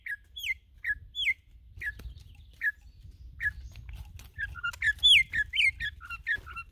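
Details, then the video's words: Campo troupial from Brazil, called one of the best singers there: well-spaced, ringing downslurred whistles that quicken toward the end into a dense flurry of bright notes. "CORRUPIÃO MÁQUINA ESSE A PEGADA É SEGURA"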